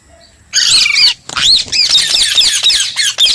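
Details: Parrot calls: harsh, scratchy squawks mixed with arched whistled notes in rapid, uneven succession after a quiet start.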